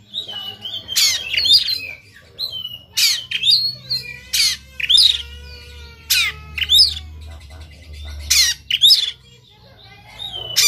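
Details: Sumatran white-rumped shama, aggressive and fighting with its tail fanned, alternating coarse noisy bursts with clear whistled notes and descending slurs, about eight loud phrases in ten seconds.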